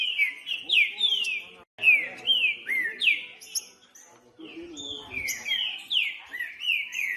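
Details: Wild green-winged saltator song used to stimulate cold captive birds before tournaments. It gives repeated downslurred whistled notes, about one a second, and breaks off for a moment midway before the phrases resume with some softer, lower notes mixed in.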